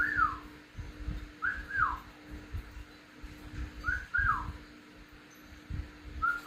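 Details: A pet parrot, tagged as a hand-fed cockatiel chick and also as a ringneck, trades whistles with a person: short, clear whistles that rise then slide down, often in quick pairs, over a low hum and soft handling thumps.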